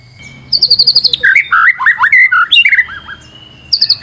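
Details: White-rumped shama, energetic lure song: a rapid series of high clipped notes, then looping whistled phrases sliding up and down through the middle range, and a short burst of high repeated notes at the end.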